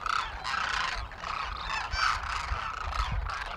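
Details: Large wintering flock of some 12,000 Demoiselle Cranes foraging in fields and open ground near villages in Rajasthan, north India; a dense chorus of overlapping rolling, trumpeting calls runs throughout, over a low background rumble.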